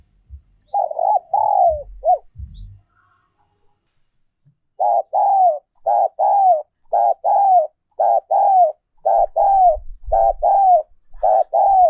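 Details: Spotted dove decoy song in the 'giọng còi' ('giọng kim') style: two-part cooing phrases, a brief note and a longer falling one, repeated steadily about once a second after some low thumps and a short pause.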